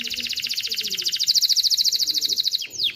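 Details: Male canary singing a song used to teach chicks to sing and prepare females for mating: a fast, even trill of bright repeated notes, about fifteen per second, ending in a couple of quick downward sweeps.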